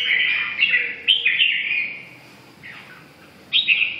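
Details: Red-whiskered bulbul singing short, rich whistled phrases, each slurred and warbling, in bursts at the start, after one second, and again near the end, with quiet gaps between and a faint background hiss.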